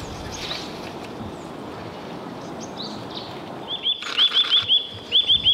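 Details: A Eurasian nuthatch in Nikko, Japan, sings a quick run of short, upslurred whistled notes repeated several times a second.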